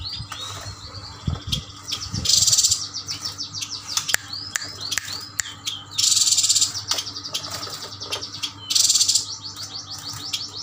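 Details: Male and female Yuhina from Kalimantan, caged and bought as a group, in full song: quick series of downslurred whistles and hooked notes broken by three loud harsh buzzy bursts, with a faint constant hum.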